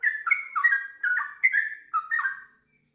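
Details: Sooty-headed bulbul in full, lively song with a long rapid stream: about eight bubbly, slurred whistled phrases tumbling quickly over two and a half seconds, then falling silent.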